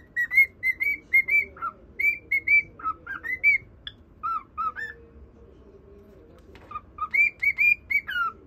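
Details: Cockatiel whistling its song to a pet budgerigar; bright repeated whistle notes in quick runs, a quiet gap of about two seconds, then the tune starts again.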